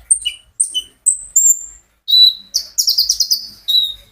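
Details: A sunbird kept by its owner, recorded live as a prompt for other birds to sing: clean high whistled notes, some sliding downward, followed by a fast buzzy chattering trill.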